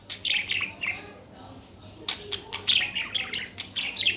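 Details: Busy budgerigar warbling, with quick chattering chirps and short squeaky notes running almost nonstop and only a brief pause in the middle.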